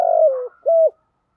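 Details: Spotted dove used as a decoy, cooing in the morning to call others: one long rolling coo sliding downward, then a single clear, level coo, and then silence.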